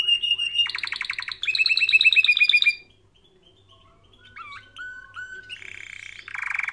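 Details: Canary training song that opens with fast, bright trills in rising tours, falls silent for about a second, then gives a few short whistled slurs before ending in a buzzy, rapid trill.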